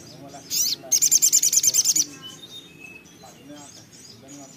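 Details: Little spiderhunter (sogon) singing eagerly: one high buzzy note, then a rapid, steady train of about ten shrill, very high chip notes lasting a second, then quieter background.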